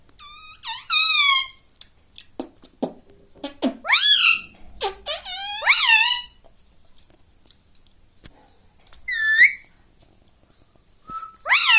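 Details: Pet rose-ringed parakeet at home, taught to say mummy, papa and mithu; repeated harmonic, wavering word-like phrases in bursts over several seconds, with short clicks and pauses between and a quiet room behind.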